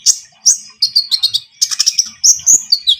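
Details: Energetic Javan munia song of the kind used to lure birds for trapping: quick series of high, squeaky chirps and short whistled slurs, tightly spaced, with brief pauses between clusters.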